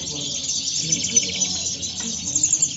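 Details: Moderna-style song of European goldfinches recorded at El Prat de Llobregat: thin, high, rapid twittering and tinkling trills over faint low rumbling.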